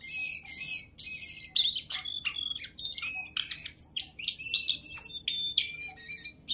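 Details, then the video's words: Jongkangan in full song, used as master song for training birds: rich, tumbling high warbles mixing harsh buzzy notes, quick chirps and slurred whistles with almost no pause. "Burung Jongkangan Gacor dor"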